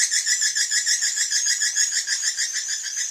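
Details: Swiftlet call played as a lure for evening roosting, given as a rapid, steady train of bright, high chirps, about three per second, with hardly any pause between notes.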